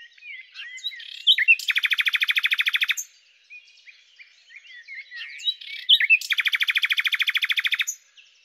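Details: A common nightingale (Luscinia megarhynchos) twice gives soft jumbled twittering that builds into a loud, fast, rattling trill lasting over a second, with a quiet pause between the two phrases.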